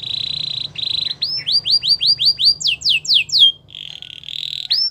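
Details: Belgian canary gives a buzzy churring roll, then a run of upswept and downswept whistled notes about four per second, returning to the buzzy roll, with a soft hum behind.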